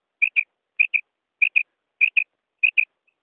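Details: Female common quail call: clean, clear paired whistled notes, each pair repeated about every 0.6 seconds, five times, with silence in between.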